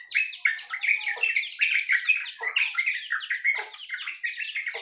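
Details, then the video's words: Morning songbirds, named as jongkangan, yellow-vented bulbul and white-eye, in a dense overlapping chorus of quick chattering and twittered phrases, bright sweeping notes tumbling over one another with brief lower chips dropping beneath. "Suara Burung Jongkangan, Terucukan , Pleci di pagi hari"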